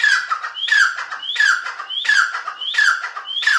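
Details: Grey francolin calling in a very regular rhythm, harsh grating phrases each led by a rising whistled note, five repeats in under four seconds.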